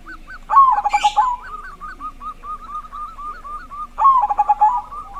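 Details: Loud-voiced local zebra dove song used to prompt silent doves to sing. Two bright, rapid bursts of bubbling coos about three seconds apart, joined by a long run of softer repeated coo notes and a brief hiss.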